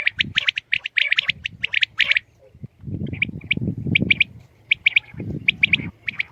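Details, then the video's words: Common quail calling in the morning: quick bright notes in rapid bursts, then clearer groups of three short sharp notes, over a low rumbling background. "Aj suba Batair Ki Awaz ki Recoding| Khali Batair ki Batair ki Awaz| Quail sounds|lCommon Quail 2020|"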